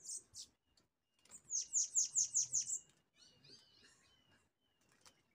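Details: Bananaquit, a pair coming in to fight a caged bird: a quick run of six very high, sharp, downslurred chirps, evenly spaced about four per second, followed by softer twittering and a man's voice.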